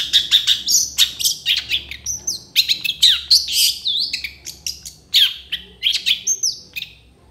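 A long-tailed shrike sings a fast, varied medley of sharp chirps, slurred whistles and scratchy notes, about three or four per second, with no other sounds.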